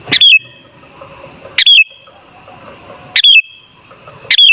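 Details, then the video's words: Sooty-headed bulbul used as a lure to make bulbuls sing hard; four bright downward-stepping whistled phrases about every one and a half seconds, with faint chatter and hum in the gaps. "Suara Burung Kutilang Sangat Ampuh Untuk Pancingan Jadikan Kutilang Ngamuk Gacor"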